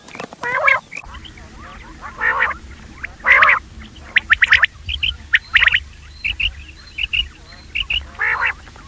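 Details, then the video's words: Calls of the common quail used for hunting: a series of raspy, stacked triple notes at uneven intervals, with short thin chirps between them and a low background drone. "quail voice for hunting | Batair ki awaz Raat | common quail voice"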